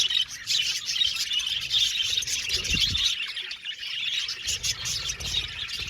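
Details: Aviary colony of budgerigars giving unbroken high chirping and twittering, many voices overlapping; a brief low swooping sound cuts in near the middle.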